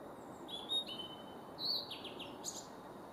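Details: Male blue-and-white flycatcher singing at Kawaguchiko Field Center, Japan, on 4 May 2017: thin high whistled notes, a brief rising slur, then quick descending slurred notes, quiet against a soft background hiss.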